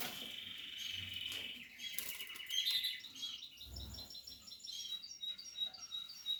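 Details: Portuguese harlequin canary chicks and adults at the nest in a breeding setup: sharp high chirps and rapid buzzy trills, then scattered thin tweets, with a couple of low thumps.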